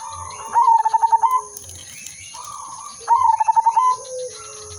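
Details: Zebra dove of the silver udanmas type, singing as a lure: two matching phrases, each of rapid pulsed notes into a trilled coo, answered by softer distant coos, with low thumps and a steady high whine.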